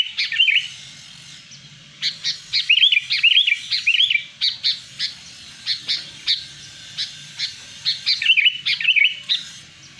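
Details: Wild sooty-headed bulbul, a recording meant for luring wild birds, singing a busy stream of sharp chirps and warbled whistled phrases, grouped in bursts with brief pauses over ten seconds, faint low rumble underneath.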